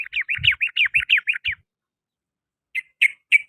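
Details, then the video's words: Sooty-headed bulbul singing in the afternoon: a quick run of about ten downslurred, chattering notes in one and a half seconds, a pause, then three more sharp notes. "TRUCUKAN, KICAU DI SORE HARI"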